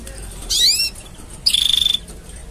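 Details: Canary mating sounds: a sweeping, bending whistle followed by a fast, buzzy pulsed trill held on one high pitch for half a second.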